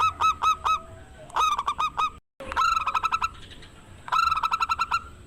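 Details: Local zebra dove in full song, a loud lure to provoke rival doves: a few spaced hooked coos, then rapid rattling runs of cooing notes, repeated in several phrases with a clean break midway.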